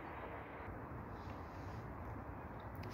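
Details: Steady low rumble of engine or aircraft noise fills the recording, with no animal calls standing out.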